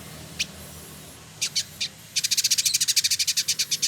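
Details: Male village indigobird, known locally as trotol, singing in Bandung, West Java, Indonesia: a few scattered high, thin notes, then a fast, buzzy chatter of about twenty sharp pulses in quick succession.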